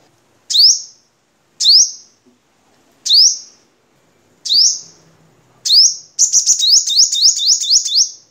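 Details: High, thin sunbird notes from a Vietnamese crimson sunbird used for training cage birds: five single upward-sweeping notes about a second apart, then a hurried string of about eight sweeps. No other sounds.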